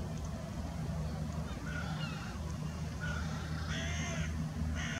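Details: Carrion crow × hooded crow hybrid on the beach at Świnoujście on Independence Day gives hoarse, grating caws in a few short bursts over a steady low rumble of traffic or wind.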